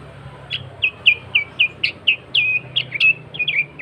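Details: Sooty-headed bulbul in natural song without added phrases, used as a lure to call rival and wild bulbuls: a rapid string of bright, chirpy downslurred notes, about three per second, over a low steady hum.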